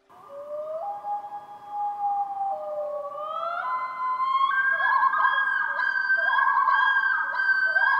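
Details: A Common Loon gives its wail call, a long mournful wolf-like cry used between mates to communicate and locate each other on the lake: drawn-out notes stepping upward in pitch like a distant howl, before music swells over it.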